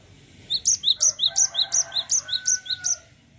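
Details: Rolling song of a cinereous tit: a fast, even string of about ten sharp two-part chirping notes, high and repeated nearly three per second, over a soft background hum.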